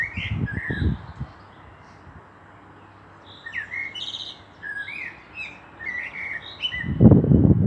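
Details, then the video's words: Singing common blackbird, Meschede, 18 May 2021. A run of short, fluting, slurred whistles gives way to a sequence of warbled notes, broken at the start and end by loud, low bursts of rumbling noise. "Sehr schöne singende Amsel"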